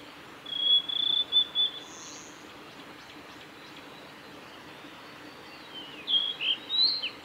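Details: Male blue-and-white flycatcher singing along Kanazawa forest road at Lake Miyagase, Japan, 17 May 2020: a long steady whistle with short notes, then after a pause a higher twisting phrase; faint insect buzzing behind.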